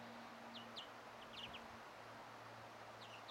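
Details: A European greenfinch chick gives faint, thin, high begging chirps in short clusters of two or three while an adult feeds it on 1 June 2017, repeated through the clip over a low steady engine hum.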